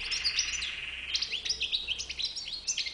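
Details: White-bibbed goldfinch twittering fast and high, with chirps, short slurs and tinkling notes crowded into a lively phrase.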